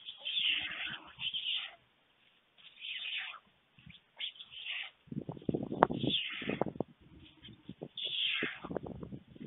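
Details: White stork nest on a webcam in Fohrde, Germany, 21 July 2019 at 1:45 pm, as an adult male brings a late lunch to two storklets. Harsh, raspy hissing bursts repeat, then louder rapid pulsed rattling comes in short runs.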